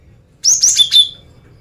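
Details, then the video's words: Female cinereous tit luring males gives one brief phrase of three high whistled notes, sliding down so the last note sounds lower and slightly longer. "Suara Gelatik Batu Betina Gacor Mancingan Jantan"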